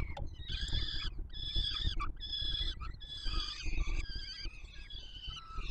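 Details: Young peregrine falcons at the Warsaw Palace of Culture and Science nest, July 2022, begging as food is delivered: a run of loud rasping screams, each about half a second long, with low wind-like rumble beneath.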